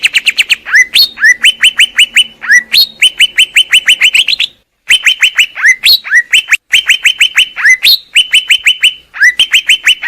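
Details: Greater green leafbird delivering loud, clear repeated phrases, each a sharp downslurred note followed by a steady whistled tone, repeated about every second with a few brief pauses.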